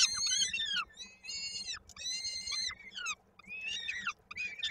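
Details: Peregrine falcon chick at a nest in Koszalin, Poland, on 16 May 2022, its foot stuck in a parent's beak during feeding. Loud, harsh, harmonic wailing calls come in bursts of about a second, separated by short pauses.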